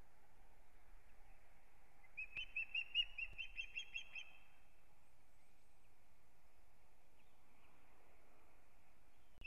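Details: Osprey pair at their nest in Kurzeme, Latvia, starting a new breeding season on 9 April 2022; one short burst of high, thin whistled chirps rattles off quickly mid-recording, fairly faint over a steady low hum.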